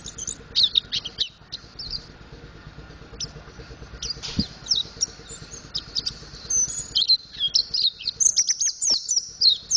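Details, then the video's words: Mountain white-eye learning to sing, practising the ngriwik and ngeplong song styles: thin, high chirps and short twittering trills in irregular bursts. Notes come faster and denser toward the end, over faint low background rumble. "Burung Pleci Montanus Belajar Ngriwik Ngeplong"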